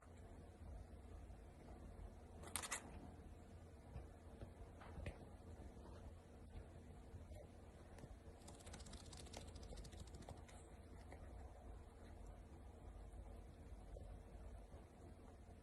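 A cockatiel makes sharp, dry clicks, single ones and a short burst, over a low steady hum.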